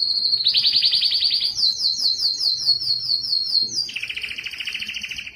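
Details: Training song of a canary, Belgian or Spanish timbrado: a high note opens into a loud buzzy trill, followed by a long higher series of rapid clicking rolls and a lower, softer rattling trill.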